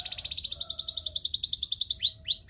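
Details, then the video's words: Belgian singing canary used to train other canaries: a fast even trill of pulsed high notes about eight per second, ending with two sweeping upward whistles. "The belgian singing canary"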